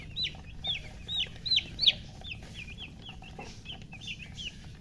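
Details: Newborn chickens, just hatched chicks chirping loudly: high, sharp, downward-swooping peeps repeated several times a second, a few louder close calls standing out over softer chirps from other chicks and low background hum.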